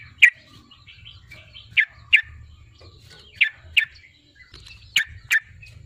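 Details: Yellow-vented bulbul (trucukan) in good voice, played to provoke a rival bird to sing: sharp, high chirps in loose pairs, spaced irregularly, with faint softer notes between them and a steady low hum beneath.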